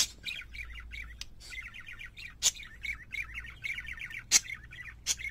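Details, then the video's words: Parakeets warble in a continuous run of chattering, buzzy chirps in the upper register, broken by a few sharp clicks and a faint low hum. "Singing Parakeets"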